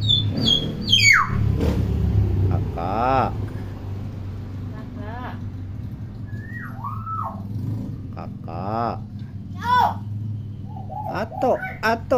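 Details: Pet hill myna, kept as a tutor so young mynas learn to talk, delivers scattered bursts: sharp clicks, harmonic speech-like syllables and short slurred whistles across twelve seconds, with low rumbling background noise.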